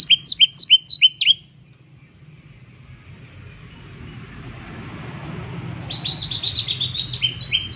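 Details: Green leafbird (cucak ijo) in tembakan mode, meant to spur mute leafbirds into song: a quick string of sharp doubled notes, a quiet gap with soft background hiss, then a second fast run of chirps.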